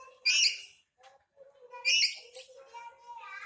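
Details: Two loud, raspy screeches about one and a half seconds apart from an angry black-capped lory kept as a pet, with softer low murmuring sounds continuing between and after them.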